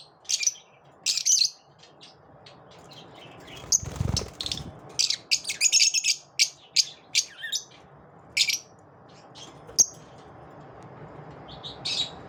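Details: Lovebirds after dawn giving short, high chirps and twitters in scattered bursts, some doubled, with brief pauses between, a low thump near the fourth second and faint background hum.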